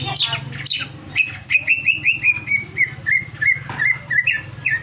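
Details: Overexcited greater green leafbird: a couple of high squeaky notes, then a long run of clipped, buzzy chirps on one pitch, repeated about three to four times a second. A low hum runs underneath.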